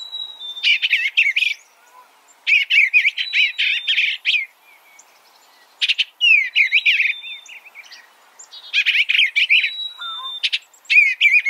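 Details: Eastern bluebird calling: four bursts of quick, chirpy warbled notes, each with a thin steady whistle running through it, separated by short pauses. No other sounds are clear.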